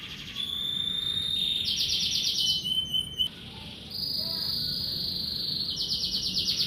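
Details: Kenari merlok canary greeting the morning with high rolling trills, fast repeated pulses broken by clear level whistles, each phrase held about a second before the next tour begins.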